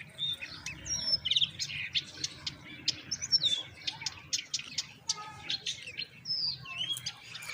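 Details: Young common mynas begging while their mother feeds them moringa. A run of loud, high clicks, chirps and whistled squeals repeats rapidly and irregularly, with occasional lower buzzy notes.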